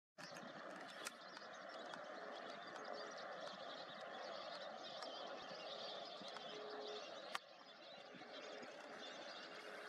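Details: Lesser flamingos (Phoeniconaias minor) in a large flock near Sambhar Lake, Rajasthan, India, making a dense, unbroken murmur of overlapping nasal chatter and honks; a single sharp knock near the end.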